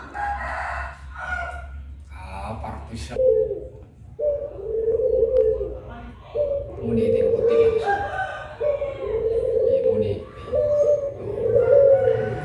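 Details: Puter pelung doves, two birds, at midday: after a few seconds of voices and a crowing fowl, a run of long, low, even coos follows, repeated about every two seconds.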